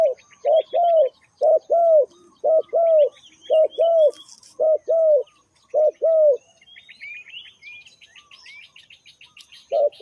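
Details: Spotted dove giving a lure call for trapping: low hooting coos in pairs, a short note then a longer one, repeated about once a second with brief pauses, over faint high chirps of other birds.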